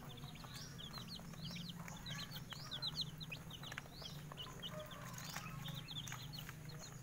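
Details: Morning scene of Bangkok chicken chicks basking in the sun: rapid, piercing downward peeps repeated in clusters, a few sharper rising squeaks among them, all over a persistent low hum.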